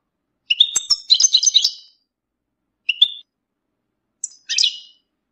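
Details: European goldfinch mating calls used to stimulate males and bring them out of moult: short bursts of bright, tinkling, twittering notes, a trill-like chatter followed by two brief separated calls, in otherwise clean silence.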